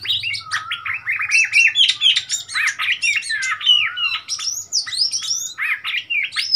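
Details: An Oriental magpie-robin in Thailand, a wild bird come to a cage, sings a rich, varied run of whistles, slurred rising and falling notes and quick chirps without pause, recorded 15 February 2021.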